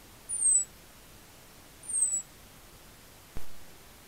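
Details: European robin visiting a winter feeder in farmland at Rottanova di Cavarzere, Venice province, Italy, caught by an Acorn 6210 camera trap: two very high, thin, slightly falling whistles about 1.5 seconds apart, then a sharp click.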